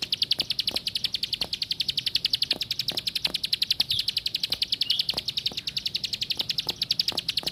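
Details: Plain prinia singing a long, steady train of sharp, high ticking notes, about three and a half per second, with faint low clicks underneath.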